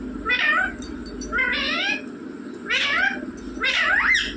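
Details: Talking rose-ringed parakeet repeating a speech-like word four times, roughly once a second: each a rich harmonic phrase with wavy, rising-then-falling bands, mimicking mummy or papa.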